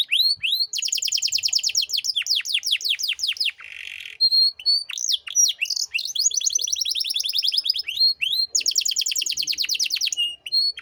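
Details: Lively canary song meant for tutoring young cage birds: long fast rolling trills of steep descending notes, a brief buzzy rasp, sharp whistled upslurs and repeated trill bursts.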